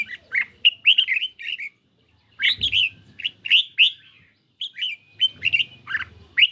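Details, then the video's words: Red-whiskered bulbul kept in a cage, dueling with a phone recording on a lightly sunny day: bright, rolling whistled phrases of quick slurred notes, grouped in bursts separated by short pauses, plus faint low thumps. "Chim Chào Mào Của A Tủa Hót Đấu Với Điện Thoại Cực Xung"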